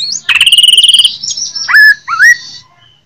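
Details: Jember greater green leafbird in fighting song, Indonesia: a fast buzzy trill held level, then sliding whistles and two loud upward-curling notes near two seconds, ending in a fading high tone.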